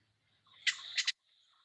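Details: Ruby-crowned kinglet, a winter-only visitor that leaves in spring, gives a dry, raspy call: a harsh buzzy note then two quick scratchy clicks, all within half a second, in a quiet setting.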